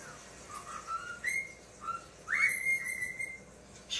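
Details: Male pet talking cockatiel watching himself on screen for the first time, recorded indoors by phone in dim light; a run of whistled notes stepping upward, ending in a loud, sustained, slightly rising whistle.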